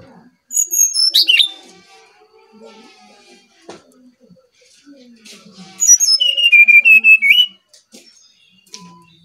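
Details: Brown-chested jungle flycatcher song used to lure other birds: a high descending whistled phrase, then a longer run of steady fluting notes on one pitch, with soft indoor background sounds between.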